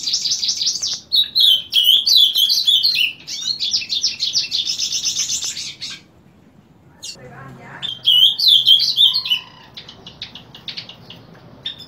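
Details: Morning song of a Painted bunting, heard daily from 7 am: long bright warbled runs of high twittering notes with a short pause, then another warbled phrase and faint chips.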